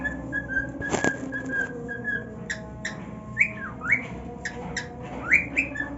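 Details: Pet male cockatiel, happy on his new nest, gives scattered whistled notes with upward slides, broken by a loud click near the start, over a faint steady background hum.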